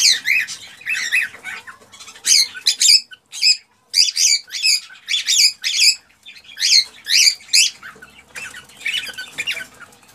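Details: Male cockatiel's excited mating song to stimulate a female to breed: a long run of rapid, chirpy whistled notes in tight clusters, with brief pauses and a soft background hum.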